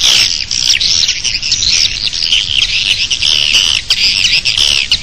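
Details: Swiftlet calls at a nest, outside the building: a steady wall of shrill overlapping chirps and trills, many birds at once, with short rhythmic pulses and no background noise of note.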